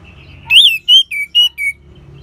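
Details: Orange-headed thrush singing, a recording used to coax other birds into song: a rising swooping whistle followed by four short clear whistled notes, each slightly lower, evenly spaced.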